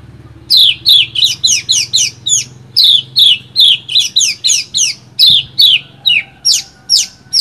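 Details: Bush lark song offered as fine material for training other birds: sharp, high, slurred chirps in uneven runs, some buzzy, with a short pause near the middle. The background is quiet apart from a low hum.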